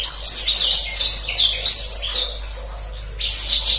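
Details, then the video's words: Black-throated canary delivering a gacor ngeroll master song for canaries: quick runs of high whistled phrases, a quieter gap in the middle, then a renewed burst of chirps. "Kicauan Blacksang Gacor Ngeroll, Paling Digemari Dan Mudah Dihafal Kenari Manapun"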